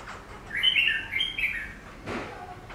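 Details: Facing its reflection in glass, a caged Chinese laughingthrush (Garrulax chinensis) gives a rich, clear warbled phrase of rising and falling whistles over about a second, then a sharp knock and a faint later note.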